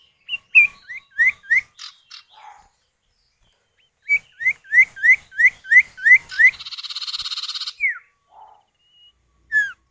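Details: Male and female common iora call back and forth as a lure for other birds. Rows of quick rising whistles come twice, separated by a pause. A sustained buzzy, rattling chatter follows, then scattered downslurred notes.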